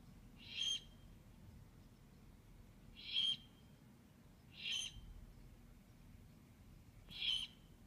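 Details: Owlets recorded 2/11/15 giving harsh, breathy hissing screeches, each short burst repeated roughly every one and a half to two and a half seconds, four in all, with soft low rumble between.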